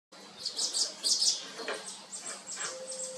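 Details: A perched Gray Kingbird early in the morning, preening and calling out to other kingbirds, gives sharp, buzzy, high chattering notes in quick uneven bursts; a faint steady low hum enters near the end.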